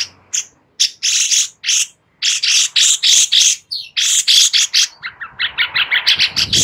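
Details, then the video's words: Sooty-headed bulbul song, a master recording for teaching magpie robins: loud rhythmic bursts of chirpy notes in quick succession, finishing with a fast run of shorter descending chirps. "Master Cucak Cungkok cocok untuk Murai Batu agar NAMBAH ISIAN"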